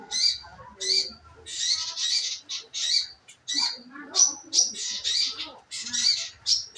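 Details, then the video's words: Scarlet minivet calls played as a lure to make birds sing: a rapid series of high, sharp chirps, some slightly slurred downward, in quick succession with brief gaps. "pancingan burung manggaran agar maun bunyi"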